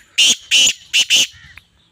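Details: Female black francolin (teetar) giving its rough, rasping call. The phrase has four loud broadband notes in two spaced singles and a closing quick pair, ending in a short click and faint distant chirps.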